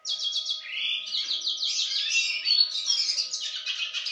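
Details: Male Yarrell's siskin hatched in 2016, singing: a continuous, rapid twittering of high buzzy trills and chattering notes, with slurred whistles running throughout, over a faint steady hum.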